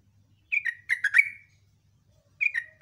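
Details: A sooty-headed bulbul sings one cheerful phrase of five liquid, downslurred notes, then begins another after a short pause; morning recording in the ngecruk style, otherwise quiet.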